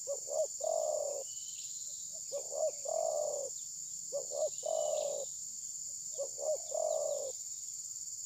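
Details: Spotted dove decoy at a trapping session, unwilling to attack, perhaps moulting; mobile phone recording. Four repeated phrases of two short hoots and a long vibrating coo, roughly every two seconds, with steady high insect noise.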